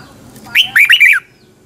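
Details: Morning training song of a red-whiskered bulbul in the double twisting voice style: a single quick phrase of warbled, downward-sliding whistles ending in a falling note, about two-thirds of a second long, over soft background hum.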